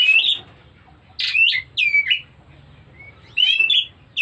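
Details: White-rumped shama showing breeding condition, bright whistled notes with downward and upward slurs in three short bursts, some with harsh buzzy edges, over a steady low hum.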